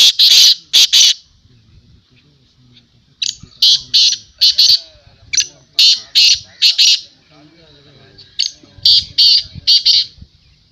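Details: Kala teetar, the black francolin, at a calling contest. Rasping, scratchy notes come in tight rhythmic groups of two to four, repeating through the recording, with faint low murmuring between the phrases.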